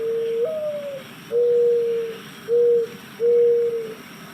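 Mourning Dove giving its soft, mournful coo: a rising-then-falling first note followed by three steady, lower hollow coos over about four seconds.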